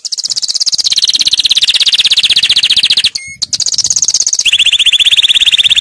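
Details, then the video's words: Canary singing a powerful training song: dense, very rapid high trills held in long rolling tours, one brief break near the middle, then a lower, steady trill resumes. "Canary 's most powerful song for training"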